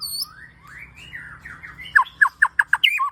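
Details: Shama training song, murai batu: a thin high double whistle, then soft slurred rising and falling warbles, ending in a run of loud sharp downslurred chips repeated about every fifth of a second.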